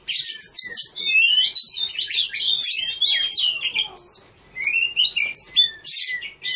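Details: Caged Oriental magpie-robin singing at a bird song contest held 3 April 2015: a rich, varied run of whistled notes, rising and falling sweeps and harsh buzzy bursts, delivered almost without pause.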